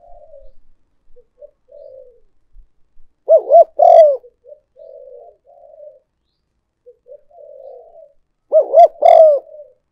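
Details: Spotted dove decoy call for luring other doves: two loud coo phrases about five seconds apart, each a quick doubled rounded note then a longer drawn-out coo, with soft low murmuring coos between them.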